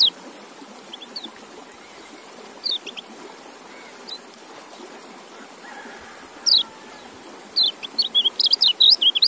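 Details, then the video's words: High white-eye notes come singly and far apart at first, then build into a fast, twittering string of sharp rising and falling chirps near the end, with faint hiss underneath. "Relaksasi Suara Kecial"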